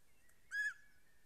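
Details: A greater spotted eagle at a snowy nest in Estonia on 14 April 2020, one of a pair, gives a single short, ringing yelp, level-pitched and rich in overtones, over a faint thin whistle and quiet background hiss.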